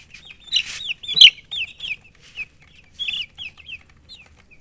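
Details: Colored baby chicks give clear, high, downward-slurred peeps in quick bursts, with a couple of soft scuffling noises between them.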